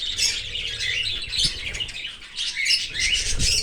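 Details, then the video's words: Cockatiel chick being fed by a parent from outside the nest in an open aviary; dense, continuous high raspy chattering and chirping throughout, with a couple of low thumps. "Australian cocaktail Parrot feeding baby from outside of nest in open aviary."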